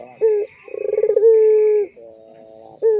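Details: Barbary dove of the pelung style, recorded as a lure for young birds: a short coo, then throbbing pulses run into a sustained low note that slides down, softer wavering tones, and a final brief coo.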